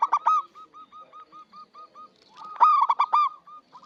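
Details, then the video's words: Zebra dove of local stock singing loudly as a lure for trapping birds: an opening loud, rich burst, then about ten soft hooked coos in even succession, then another loud ringing burst of notes. "PERKUTUT LOKAL GACOR UNTUK PANCINGAN SUARA BURUNG PIKAT"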